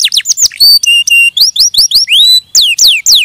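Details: Canary song mixing steep falling whistles, flat pure-tone notes and short rising slurs, each phrase quickly following the last.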